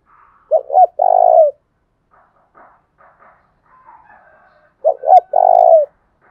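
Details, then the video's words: Thúc bổi style lure call of a Spotted dove, thổ đồng voice, meant to attract wild doves: a short-short-long coo phrase, a pause with faint chirps from other birds, then the same phrase repeated. "tiếng cu gáy thúc bổi, Tiếng cu gáy mồi chuẩn"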